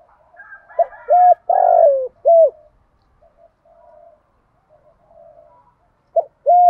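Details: Decoy spotted dove calling to provoke wild doves. It gives a clipped two-note opening, a loud, drawn-out rolling coo and a final short note. A quieter second dove coos between the phrases, and a new phrase begins near the end.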